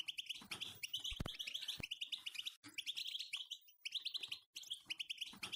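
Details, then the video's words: European goldfinch song meant to wake silent goldfinches into singing: dense, rapid twittering and tinkling notes in bursts separated by short gaps, with some sharp knocking clicks in between. "اقوى بتبتة الحسون خرافية 🌿تجعله ينفجر بتغاريد تستسة محاربة صمت✅ توقض الغاضب وساكت"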